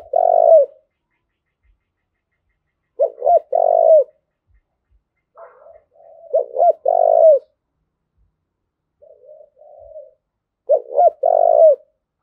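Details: Spotted dove in the 'thúc gù' urging call for decoy training and exciting males: phrases of two quick coos and a drawn, falling final coo, repeated every few seconds, with soft low murmurs between.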